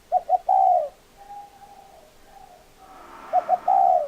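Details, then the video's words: Spotted dove call with two quick short coos and a longer falling one, a faint distant coo sequence in between, then the same three-part phrase repeated near the end. "Tổng hợp tiếng chim cu gáy"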